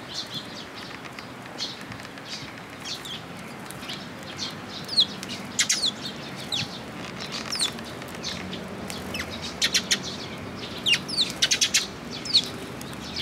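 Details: Group of sparrows visiting a feeding post at a Tenmangu shrine on 8 June 2022, giving many quick high chirps that cluster into rapid bursts in the second half, with soft wing flutters among them.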